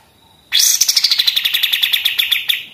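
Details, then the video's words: Rapid machine-gun song from a pied triller, meant as a master for other songbirds: a soft lead-in note, then a loud rattle of repeated high chips, higher at the start and levelling off. "kapas tembak gacor senapan mesin"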